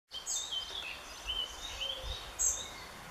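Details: Spotted flycatcher in Northern Germany in early July 2013 gives thin, very high squeaky calls, short notes scattered through about three seconds over a soft hiss of background noise.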